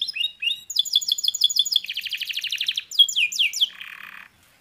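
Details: Canary singing a fast, rapidly varied song: bright repeated chirps, a rolling trill of quick notes, downward-sweeping whistles and a closing buzzy rattle, all high-pitched and clean with no background noise.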